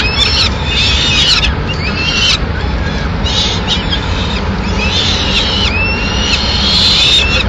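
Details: Peregrine falcon nest in Madrid, 6 May 2016, with the female delivering a pigeon. Bursts of high, scratchy calls mix with drawn-out rising whines and pause between bursts, against a continuous low rumbling background.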